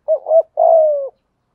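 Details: Spotted dove lure bird cooing in thúc gù style. One phrase of a soft undulating opening note, a pause, then a long, smooth, gently descending coo. Background is quiet.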